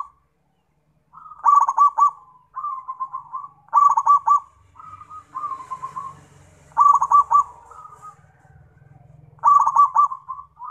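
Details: Zebra dove in full song, giving short bursts of quick, rolling, pulsed coos about every two to three seconds. Softer, smooth purring notes fill the gaps, and a low background rumble is heard.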